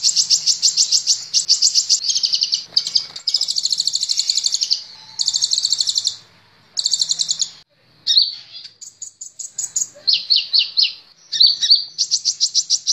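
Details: Training recording of a kolibri ninja, a sunbird, for cage birds: almost continuous high, rapid buzzing trills in long phrases, broken by brief gaps and a few sharp chips.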